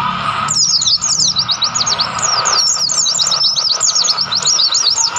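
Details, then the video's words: White-eye singing in the wild on Mount Lawu near Tawangmangu, Indonesia. After half a second of quiet hiss, it gives rapid, very high chattering twitters that run on without stopping. "pleci gacor gunung Lawu Tawangmangu"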